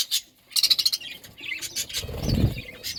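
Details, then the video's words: Parakeets eating fruit, with short bursts of high, rapid chirps in quick pulses, separated by brief pauses and low rustling and crunching noise. "Parakeet eating fruit and chirping sounds"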